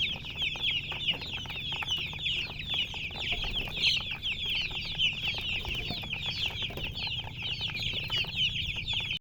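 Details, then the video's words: Colour chickens chirp busily and without pause, many thin, piercing peeps overlapping into a steady chorus that stops abruptly at the end. "silly chicken chirping sounds with murgi hen color chicken"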